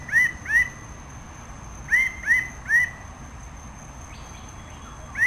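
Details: Red bird-of-paradise calling in two bursts of clipped, rising nasal notes, a pair and then a trio, separated by a short pause, over a constant faint high-pitched hum.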